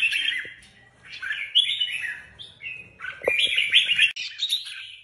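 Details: Contest red-whiskered bulbuls sing broken, varied phrases of sweet whistles and chattering notes in short bursts, with occasional knocks and taps in between.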